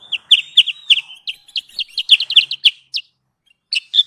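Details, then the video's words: Sooty-headed bulbul calling as a trapping lure: clustered, quick, high chirping notes in uneven bursts over a thin sustained whistle, a pause, then two final chirps. "Suara pikat Burung Kutilang sutra"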